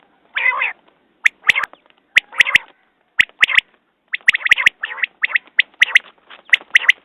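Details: Quail (batair) calling in a hunting context: a harsh buzzy note followed by sharp clicking double notes, repeated in irregular bursts about once a second, with no other clear sounds.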